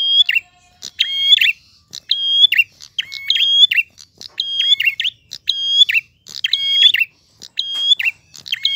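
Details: Steady, bright prinia song: a short phrase of level whistles and a descending chirp, repeated about once a second without let-up, against a quiet background.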